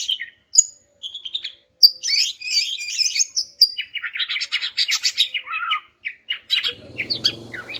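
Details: Greater green leafbird calling to make quiet males sing back: scattered whistles give way to a fast, varied twittering of high chirps and trills, with a faint low rumble near the end.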